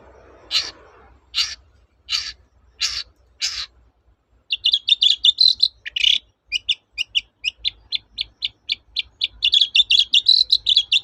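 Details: Long-tailed shrike song meant to coax quiet shrikes into singing: five harsh rasping notes spaced about 0.7 seconds apart, then a fast run of sharp clipped ticks and chattering notes that speeds into a dense burst.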